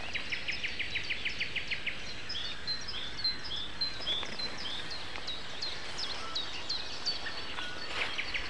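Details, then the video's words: Common nightingale in the April 29 morning chorus at 7:55. Opens with a fast rattle of evenly repeated notes, then shifts to high chirps and thin whistles, with other birds calling over constant hiss. "Morning concert. Nightingale and Со."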